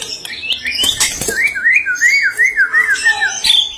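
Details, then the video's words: Vigorously singing white-rumped shama of the Medan type. A wavering, warbled whistle rises and falls in quick loops, repeated in a steady run after a burst of harsher chatter, with faint room noise behind. "Muray Batu Medan Gacor abiisss..!!! Bongkar isian"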